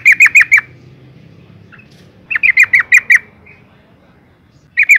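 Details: Female yellow-vented bulbul calling to stir males into song: short groups of four or five loud, harsh, sharply dropping notes, repeated after pauses of about two seconds, over a quiet background.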